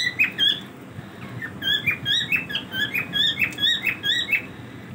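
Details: Pet cockatiels during their daily routine, giving a busy run of short chirps and squeaky whistles, rising and falling, several birds calling over one another in quick succession, with faint rustling in the background.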